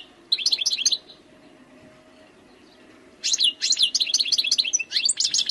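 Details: A wild European goldfinch (Carduelis carduelis) sings two bursts of quick, tinkling, liquid twitters, high and jangly, with a short pause between them and a faint low hum beneath.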